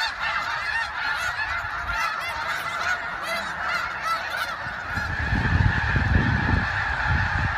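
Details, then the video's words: Large flock of migrating snow geese in spring, March 24, 2015, Westham Island (George Reifel Bird Sanctuary), Delta, British Columbia: dense continuous clamor of nasal yelping honks, low rumble of wind or movement growing toward the end. "Snow Geese Migration"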